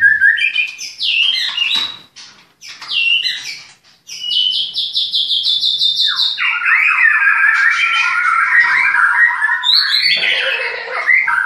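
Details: Breeding-farm white-rumped shama in Klaten singing varied phrases: rising whistled notes separated by short pauses, then a long run of rapid repeated chattering notes and high chirps.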